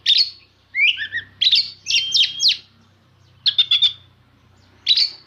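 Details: Oriental magpie-robin song used to provoke others of its kind; bursts of sharp, metallic chips and quick warbled whistles, a rapid rattling phrase, then silence and a final strident note, with a faint low hum behind.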